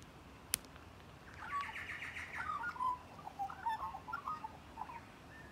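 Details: A magpie at close range gives a series of short, harsh, chattering notes, uneven and slightly nasal, after a sharp click near the start; steady low background rumble.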